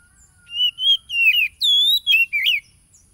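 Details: Oriental magpie-robin song recorded by phone on 30 July 2022 in Tulus Rejo village, East Lampung, Indonesia, used to provoke stressed or mute wild-caught caged birds: five loud whistled phrases, slurred and warbling, some rising sharply, with a faint steady high whine.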